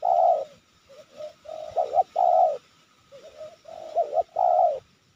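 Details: Spotted dove targeted by trappers in the Sibolangit area, Indonesia, cooing nonstop: soft, hollow low coos in short phrases, some notes doubled, about one phrase every two seconds, calm surroundings with faint hiss.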